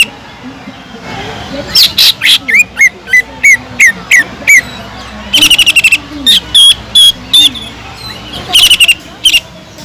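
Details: Lively greater green leafbird song with kingfisher-imitation filling: a run of clipped, falling whistled notes at a steady pace, then rapid harsh trills mixed with thin high whistles.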